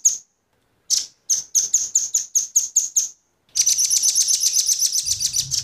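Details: Bright high chip notes from male and female velvet-fronted nuthatches, used to attract wild birds, repeated roughly three per second after a lone opening note, followed by a fast continuous buzzy trill.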